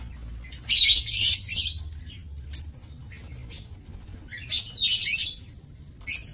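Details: Lovebirds in an aviary kept for breeding, 7 June 2024, giving a long harsh, shrieking chatter at the start, scattered sharp squeaks, then another grating burst and a final shrill call.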